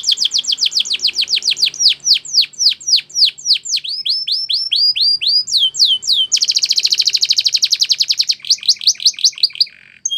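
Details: Belgian canary singing a long training song: fast sweeping repeated notes, slower looping swoops, a dense rapid high trill, then more slurred notes, with a continuous and varied delivery.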